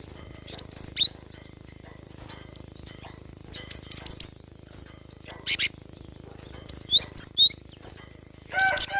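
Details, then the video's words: Cinereous tit song, recorded to encourage lazy birds to sing: high, thin whistled notes and sharp chirps in irregular clusters, some rising and falling, with a fuller burst at the end, over a constant high whine. "Gelatik batu gacor ‼️mengatasi burung malas bunyi"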